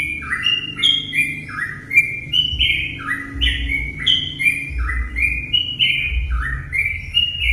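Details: Lure song of sooty-headed bulbuls, meant to set other bulbuls singing. Rapid chattering whistled notes pour out in overlapping short phrases, about three each second, while a faint low rumble runs underneath.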